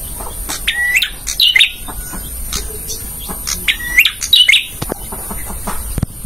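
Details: Male bar-winged prinia used as a tutor for caged birds, giving two separated phrases of a rising whistle then chattering ticks, with quieter pauses and faint background clicks between them.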